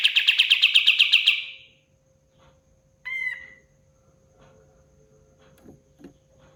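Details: Pied fantail burst: a fast, loud, regular trill of high pulsed notes over about a second and a half. Next comes a short clear whistled note with a rising-then-falling shape, followed by quiet with faint background knocks and hum.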